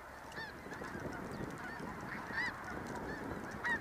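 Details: Snow geese in the snow, a flock calling together: overlapping nasal honks, some sharp and rising, tumbling over one another at an uneven pace against a dense murmur of many distant birds.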